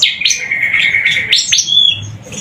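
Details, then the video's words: Javan sunbird giving a long, steady high whistled note, then sharp upward chirps and a short level whistle, over a soft low hum. "Suara Burung Tledekan Gacor"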